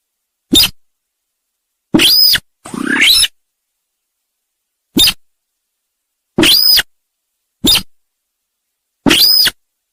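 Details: Trapping lure recording of the sintar sawah: short sharp notes alternate with harsh rasping buzzes and one longer grating chatter, each burst standing alone in silence.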